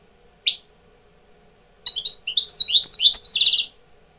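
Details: European goldfinch tutor bird coming into breeding condition, likely caged; a lone high note, then a rapid twittering run of buzzy, rising-falling chirps ending in a dense trill.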